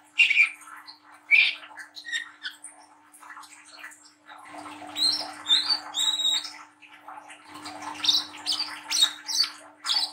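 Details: Young brown-throated sunbird, still in spotted juvenile plumage, singing a rough twittering song to prompt other young birds to sing. Harsh scratchy chirps and squeaky high notes come in dense bursts, with a steady low electrical hum throughout.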